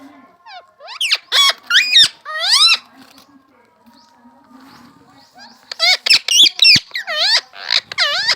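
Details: Pet talking parrot imitating human speech: two runs of loud, squeaky, whistled syllables that sweep sharply up and down, separated by a quiet pause of about three seconds.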